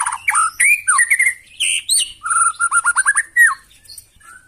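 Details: Harsh, loud song of a White-rumped shama, used to rouse other birds into answering: clear whistled slurs mixed with thin high notes, then a fast series of short downslurred whistles before fading.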